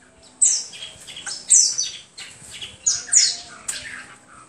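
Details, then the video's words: A hwamei sings loud, rich bursts of high whistled notes that slur rapidly downward, the varied phrases coming roughly once a second with short pauses between. "HWAMEI SINGING"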